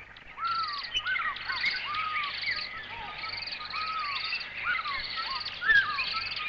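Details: Red-capped Robin-Chat (Natal robin), a bush-and-forest mimic, runs through rich mimicked phrases: clear arched whistles and rising slurs, overlaid with higher trilled snatches in a steady, continuous stream.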